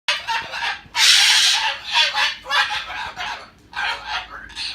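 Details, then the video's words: Pet bird grumbling and scolding its owner before going back into its nest: harsh, raspy, broadband bursts, a long loud one near the start, then shorter rough squawks every half second or so. "He's grumbling and telling me off before going back in his nest"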